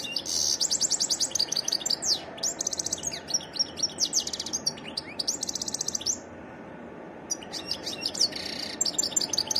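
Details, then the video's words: Goldfinch delivering a varied song of loud, fast twitters and repeated buzzy trilled notes in several phrases, a short pause, then more tinkling notes; faint steady hiss beneath. "تغريد حسون متنوع"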